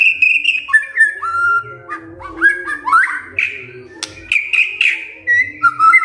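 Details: White-rumped shama song meant to draw answers from other shamas: a varied sequence of clear descending and rising whistles with some harsher notes, sharp clicks, and a faint low hum beneath.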